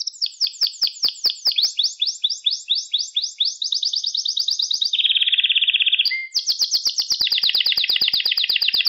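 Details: Canary song recorded for training young pet canaries to sing: rapid trilled tours of repeated high notes, then a lower buzzy roll, a brief rising whistle, and a fast bright trill, with no other sounds.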